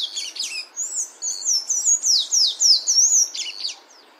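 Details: In nature, a sayaca tanager gives a fast high twitter, squeaky descending slurs rising and falling in quick succession for around three and a half seconds.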